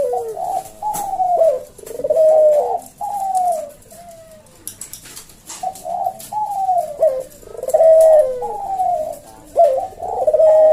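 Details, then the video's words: Puter jawa collared dove cooing kuk deruk in the slow senggang style for cage-bird tutoring: uneven series of short and drawn-out falling coos, with a quieter pause midway and faint background clicks. "Burung puter jawa kuk deruk manggung merdu suara SLOW SENGGANG"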